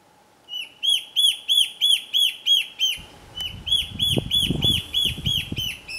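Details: Slender antbird in Boa Nova, Bahia, north-east Brazil, August–September 2013: a fast, steady series of arched, ringing whistled notes, about three per second, with low rumbling handling or wind noise entering halfway.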